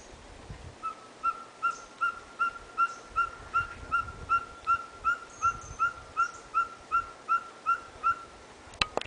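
Ferruginous pygmy-owl giving a long, even series of mellow whistled toots, about two and a half per second, with a brief click at the end.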